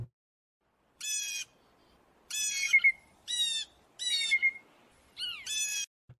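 Blue Jay giving five harsh, buzzy, nasal 'jay' calls roughly a second apart, some slurring downward at the end; nothing else is heard.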